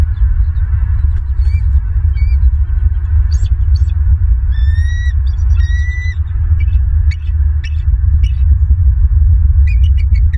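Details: Bald eagles at a Southwest Florida nest, recorded by a nest camera on the afternoon of 21 January 2023. Scattered high, thin chirps are followed by two longer, shrill whistled calls midway through, then faint clicks, all over a loud low rumble.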